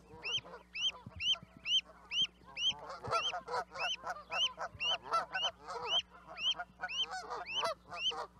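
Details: Canada goose calling in a flock: a loud, clear two-part honk rising then dropping, repeated about twice a second, over a denser background chorus of other geese honking.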